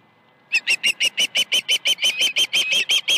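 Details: Osprey at a ranch nest on a morning in August 2019, with fish brought in. After half a second of quiet, a rapid run of about seventeen short, high, sharp chirps, evenly spaced and steady in pitch.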